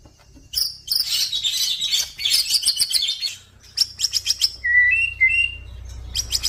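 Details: Male white-rumped shama, a crossbred F-series bird, singing: dense bursts of high chirps and buzzy trills, then a pause and sharp repeated notes, ending with clear whistled slurs and quick staccato notes.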